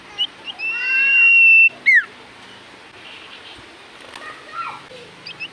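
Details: Common iora in full voice, singing so other ioras reply: a few short chirps lead into a long level whistle, then a sharp falling slur, with softer scattered whistles and a descending note afterwards.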